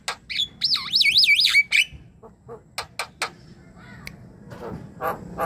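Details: Javan myna song played to get a quiet myna singing: sharp clicks around a quick wavering whistled trill, followed by scattered soft clicks and harsh notes.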